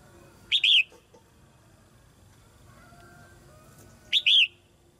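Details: Female red-whiskered bulbul singing in a cage to encourage newly grown young birds to sing more: two short, bright, warbled two-note phrases about three and a half seconds apart, with quiet in between.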